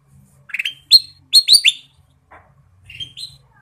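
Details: Ruby-throated bulbul singing briskly with fill-in phrases: a rapid string of loud, clear upslurred whistles in the first two seconds, followed by a softer pair of rising notes.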